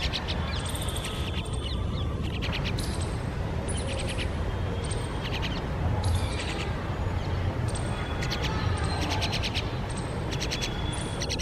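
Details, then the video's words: Mynas feeding a well-grown chick despite it finding food itself, parents scolding; repeated bouts of hoarse, buzzy rasping squawks spread across the recording, with loud continuous low rumbling noise beneath. "Myna Birds Feeding Grownup Chick.Despite He Is Searchs & Eats Himself."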